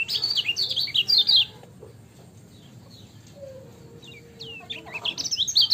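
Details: Ciak-style lemon-bellied white-eye song: a quick, high twitter burst, a quiet stretch with a low sustained tone and scattered notes, and a final flurry of loud chirps.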